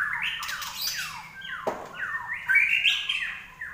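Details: Common iora, the larwo, singing actively with slurred whistles that glide downward, a short noisy click, then rising warbled phrases. Low hum in the background.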